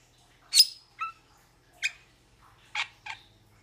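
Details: Metallic starling giving a few scattered harsh chips and a squeaky whistled note, separated by short pauses, in quiet surroundings.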